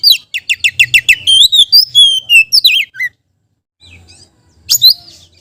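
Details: Oriental magpie-robin song used as a lure for other magpie-robins: a rapid series of repeated sharp notes flows into sweet whistled slurs and a falling twist, then a pause before one more high burst.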